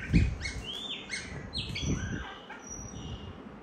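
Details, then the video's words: A child plays with a singing White-rumped shama. The bird gives a rich run of whistled notes stepping down and rising again, ending in a thin high whistle, over low thumps and rustling. "chòe hót đá tay"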